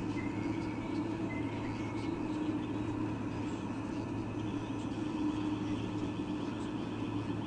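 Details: A constant low mechanical hum with steady background noise runs throughout, and no distinct animal call is heard.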